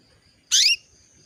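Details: Female canary calling to a male to bring him into breeding condition; one brief, bright, buzzy chirp lasting about a quarter second, with a faint steady high tone in the background.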